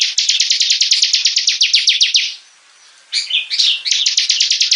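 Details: Bar-winged prinia singing 'gacor' style as a hobby bird: a steady volley of bright, downward-flicking chirps about four per second, a short silence, then a jumbled warble leading back into the rapid chirping.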